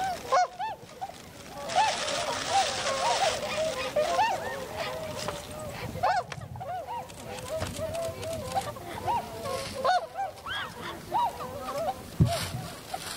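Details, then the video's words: A Tundra swan flock in winter, 7 February 2015, landing and taking flight: steady mass of overlapping honks beneath bursts of rushing broadband noise and handling sounds. "コハクチョウ "Cygnus columbianus" の鳴き声。"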